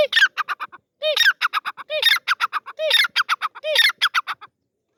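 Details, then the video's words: Partridge, called teetar, calling in a jungle setting: loud harsh squawking bursts with a low clucking note leading each phrase, about four phrases repeated roughly once a second, each a rapid string of rasping notes. "Teetar ki Awaz || Partridge Bird Voice"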